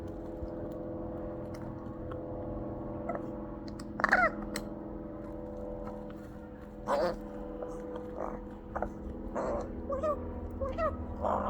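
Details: A rook perched on a wall, pecking and making chirping and squawking noises: short harsh squawks near 4, 7 and 9.5 seconds, then a quick run of rising chirpy notes toward the end, over a steady low background hum.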